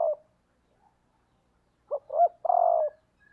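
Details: Decoy hen spotted dove calling to stimulate males, one coo trailing off, a silent pause, then a full phrase of two clipped rising notes and a long steady coo, in near silence.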